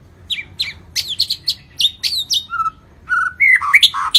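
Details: White-rumped shama of the Lampung type singing a full 'isian komplit' repertoire in vigorous 'gacor' style: varied clear whistles, sharp downslurred notes and bright chirps in quick succession, ending with lower rich warbled phrases.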